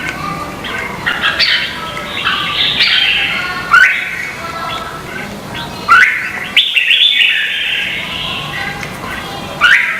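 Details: Red-whiskered bulbul contest singing in Vietnam, lure recording: scattered whistled phrases with sharp upslurred notes recurring every two seconds or so, over a noisy background.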